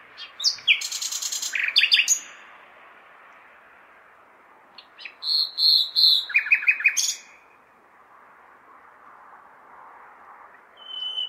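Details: A nightingale sings in a large city on a May night: a rapid churring trill and sharp notes, silence, then a loud whistled phrase with quick repeated notes, a long pause and a final high note, over city hum.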